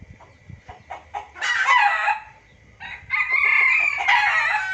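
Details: Junglefowl trapping lure, noisy style: a few soft clucks, then a loud rasping cackle, a short lull, and a long harsh outburst of overlapping calls.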